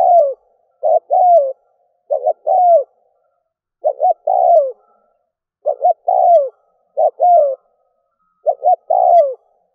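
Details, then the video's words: Spotted dove used as a decoy to quickly rouse wild doves, cooing repeatedly: about eight phrases in ten seconds, each a quick double coo then a longer descending coo, delivered at uneven intervals with no other sounds. "Cu mồi kèm || Tiếng chim cu gáy kích bổi nhanh nổi"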